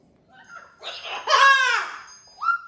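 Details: Pet cockatoo indoors, giving harsh rasping squawks that rise and fall, with a short squawk after a pause and a person's greeting heard just before.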